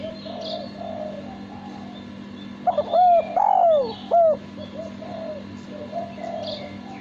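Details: Male spotted dove giving a clear cooing phrase: a few short low coos followed by a longer, drawn-out falling coo, all within about two seconds, over a steady low electrical hum and faint background chatter.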